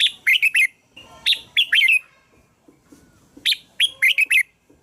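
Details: Song of a red-whiskered bulbul used to draw in other bulbuls: loud three- to five-note warbled phrases, bright and falling in pitch, repeated three times with brief pauses.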